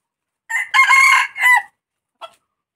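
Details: Red junglefowl crowing: a short, loud, clipped crow in three parts, a brief opening note, a long harsh middle and a falling final syllable, followed by a faint short note, against a silent background.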